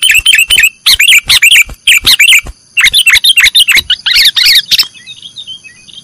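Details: Sooty-headed bulbul singing in the nggaruda style, a training recording for cage birds: rapid bursts of bright chirpy, warbling notes in dense phrases, with short pauses, fading out near the end.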